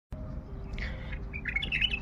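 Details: A wild bulbul, recently taken from a reserve and kept in Baghdad, sings a short burst of bright, warbled notes, quickening toward the end, over a steady low rumble of background noise.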